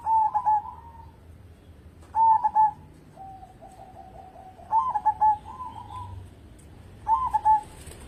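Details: Local zebra dove singing energetically, kept as a lure to set other birds singing: mellow cooing phrases near one kilohertz, repeated about every two and a half seconds, with a softer run of short even notes in between. Quiet background.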